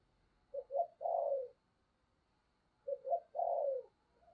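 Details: Decoy spotted dove calling to provoke wild doves, "giọng sấm" style: two near-identical phrases, each a quick double coo followed by a longer, slightly falling hoarse coo, about two and a half seconds apart.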